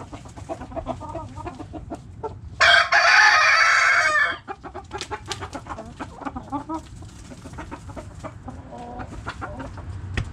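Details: Backyard chickens: a loud, harsh rooster crow lasting about two seconds rises above a steady stream of short, irregular hen clucks and scratchy rustling that continue throughout.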